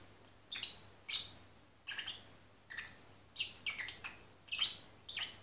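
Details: Drowsy lovebird parrot, kept as a pet, singing in its half sleep: quiet, high, squeaky chirps, some in pairs, spaced unevenly about every half second, with a faint hum behind.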